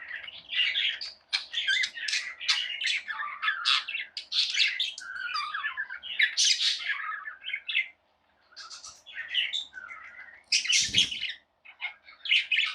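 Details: Tame pet budgerigars chattering: a busy mix of scratchy warbles, squeaks and quick high chirps overlapping almost without break, with a short lull near eight seconds and a brief low thump near eleven seconds.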